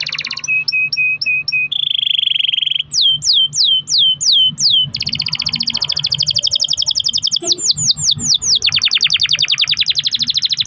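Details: Canary performing long rolling song used to encourage other canaries to sing: clipped flat notes, a steady trill, a run of falling whistles, then long rapid pulsed rolls with more slurred whistles between.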